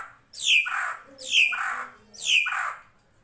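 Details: Drongo (srigunting krantil) master recording for songbird training: three loud, scratchy descending squawks, evenly spaced about a second apart, over a faint low background hum.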